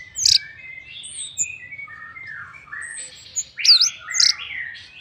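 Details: Orange-headed thrush singing as a lure to draw other birds into song: soft, quiet warbled whistles with thin high notes, rising to a louder cluster of sharp sweeping chirps near the end.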